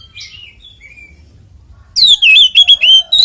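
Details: Oriental magpie-robin in 'ngeplong tarung' fighting song, used to draw out other magpie-robins: a soft whistled note and thin slurs, then a loud burst of rapid, rich descending whistles repeated several times.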